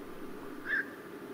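A Black-crowned Night Heron gives a single short, harsh 'kwok' flight call over a steady low background hum.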